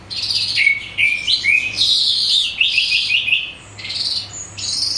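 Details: Calandra lark song, used as a lure to make other larks respond: a loud, continuous jumble of high chirps, sliding whistles and buzzy chattering phrases in quick bursts, with a faint low hum underneath.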